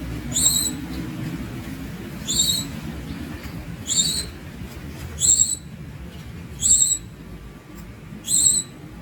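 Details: Six high, shrill notes from a young Javan Munia, fairly evenly spaced about one and a half seconds apart, each short and ringing, over quiet low-pitched noise.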